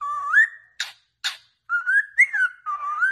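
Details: A pet cockatiel sings for training other birds: a rising whistle held steady, two harsh chirps after short pauses, then wavering whistles that rise, dip and climb again.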